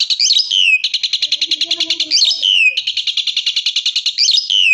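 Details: Asian pied starling (jalak suren) singing at full power in the loud 'tembakan' (gunshot) style: a high swooping whistle dropping into a rapid, harsh pulsed rattle, the pattern repeating about every two seconds, with faint low murmurs behind.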